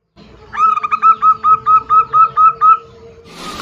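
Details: Zebra dove calls as a female summons a male and they answer each other: a run of about ten quick, clipped, cooing notes at a steady mid pitch. A faint low hum continues underneath, with a brief rustle at the end.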